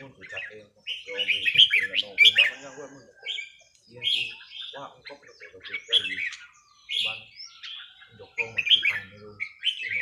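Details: Red-whiskered bulbuls at a training session: lively, bright, whistled warbling phrases repeated every second or two, some slurred and buzzy, with quiet human voices underneath.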